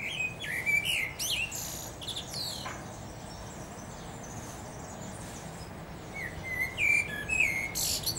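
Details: Common blackbird (Turdus merula) singing from a treetop: two bursts of mellow, fluted warbling ending in thin, squeaky twitters, separated by a pause of several seconds, over a low background rumble.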